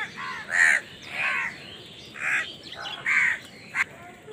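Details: Crows contesting food utter four or five separate harsh caws, alternating louder and softer, with short gaps between them.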